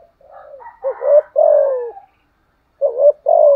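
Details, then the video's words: Decoy spotted dove with a 'giọng thổ' voice giving its 'thúc gù' coo: soft low murmurs, then rolling, downward-sliding coos in quick bursts, a pause, and two more coos. Quiet indoor setting. "chim cu mồi thúc gù liên tục"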